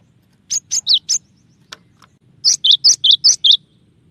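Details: Clear-voiced gelatik batu (cinereous tit) song in 'tembakan' style: four quick chirps, a couple of faint clicks, then a brisk series of six alternating high and lower chirps.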